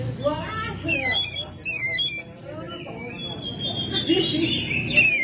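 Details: Oriental magpie-robin, a kept home bird in full song in May: harsh rasping descending notes repeated in bursts, then thin high whistled slurs and a longer gliding whistle, with low background hum.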